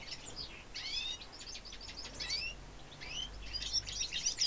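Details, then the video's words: Goldfinch x redpoll hybrid song recorded in 2013: bursts of high chirps and twittered trills separated by short pauses, building to a dense sweet warble at the end over a faint low hum. "Goldie x Redpoll singing"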